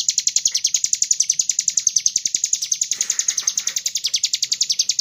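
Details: Lure recording of a vigorously singing sunbird (kolibri ninja) to prompt other birds to sing; rapid high chirps repeat steadily at roughly eight per second, briefly blurring into a buzzier stretch midway.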